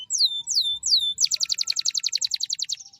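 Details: Singing canary, performing a sharp, long-rolling song used as a master for training other canaries: three descending whistled sweeps, then a fast, even trill of high repeated notes for nearly two seconds.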